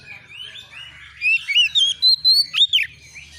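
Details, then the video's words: Young white-rumped shama, roused by a rival, breaks into a short burst of fast slurred whistles and one sharp sweeping note after a quieter start. "SEKETIKA ITU KACER BAKALAN LANGSUNG NYAUT EMOSI KONSLET!!!burung Kacer cari lawan"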